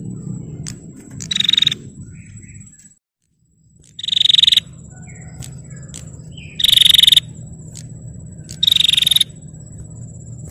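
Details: Female bar-winged prinia calling to provoke males: four dry, buzzy rattling bursts of about half a second, irregularly spaced, with a brief silent gap and a thin high insect drone.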